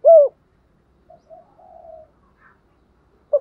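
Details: Spotted dove giving gù thúc urging coos, a style from southern Vietnam. One loud low coo opens, then soft drawn-out hums, and a brief coo returns at the end against silence.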